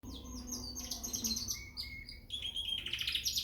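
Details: Young frill canary in Peshawar singing: bright high warbled phrases, sustained trills and rapid chirps with some buzzy notes, shifting between pitches over a few seconds, with faint low hum in the background.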